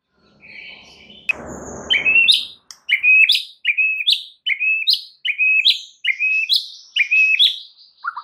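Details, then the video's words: White-rumped shama song played to encourage other birds to sing. After a soft opening note and a short noisy burst, bright whistled notes rising in pitch repeat about twice a second in a steady, even series. "PANCINGAN MURAI FULL ISIAN"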